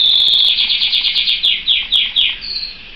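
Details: Canary song made of loud, rapid, high trills. Bright notes sweep downward in quick succession, then slow into separate falling slurs, and the phrase ends with a brief, softer high note.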